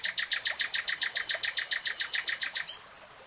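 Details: Common nightingale song: a loud, rapid, very regular run of about sixteen identical piercing notes, roughly six per second, stopping abruptly and followed by a short high whistle against a soft noisy background.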